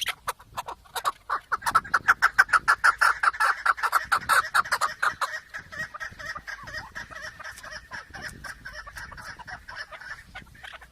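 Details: Chukar partridge giving a loud run of rapid, evenly paced chuk notes that peaks early, then fades into a softer, continuing chatter of quicker clucks.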